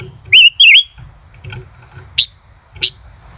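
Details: Male common rosefinch, song style "chế cựa hai": two linked wavering whistles, the second undulating, followed by sharp isolated clicks after a short pause, with soft low noise underneath.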